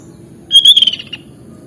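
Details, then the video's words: Sooty-headed bulbul (kutilang) in chatty 'gacor' masteran-style song: one clear high whistled note that lengthens and slides slightly, then a quick stutter of falling notes, about three-quarters of a second in all, over a low steady hum. "Suara Burung Kutilang Gacor Masteran"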